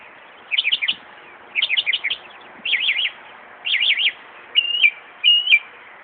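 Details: Mimicking a car alarm at Buckland Park in Brighton, NY, a northern mockingbird gives loud zigzag warbled bursts roughly once a second, then two flat, steady whistles that drop at the end.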